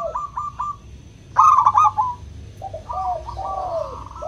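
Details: Local zebra dove song in the clear 'crystal' style, played as a lure to get reluctant doves singing. Short stuttering coos give way to a loud rolling trill, followed by softer overlapping coos from a second bird.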